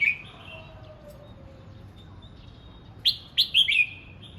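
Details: Red-whiskered bulbul practising its voice: a drawn-out falling whistle at first, a quiet stretch, then a rapid burst of four or five clear, bubbling whistled notes.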